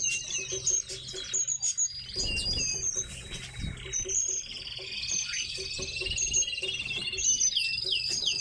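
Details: Several caged tits twittering: bright high chirps and short trills overlap a long, slightly rising whistled tone, with soft tapping and rustling below.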